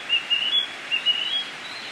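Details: Flycatcher (tledekan kembang) singing vigorously in the wild in Indonesia: thin, high, pure whistled notes, short and spaced, some slightly rising, over a faint steady hiss.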